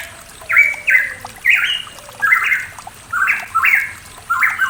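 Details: Pitohui in the mountains of East Java gives harsh, squawky paired notes stepping upward, about six phrases in under five seconds, with a faint trickle of water behind.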